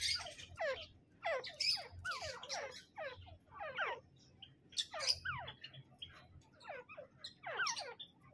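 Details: Sustained calling by a male and female Grey francolin (teetar): many overlapping, shrill notes sweeping downward, delivered in dense irregular bursts with short gaps, over a steady low background hum.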